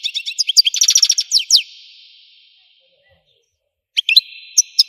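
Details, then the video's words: Algerian goldfinch singing a fast burst of tinkling, stuttered notes and a short buzzy trill, then falling silent for about two seconds before resuming with sharp chirps and a drawn-out buzz. "تغريد الحسون قمة الابداع ! حسون جزائري"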